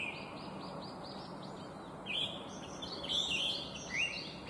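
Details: Chinese hwamei song from an invasive alien bird: a soft string of repeated short notes, followed by louder twisting whistled phrases, set against steady outdoor noise.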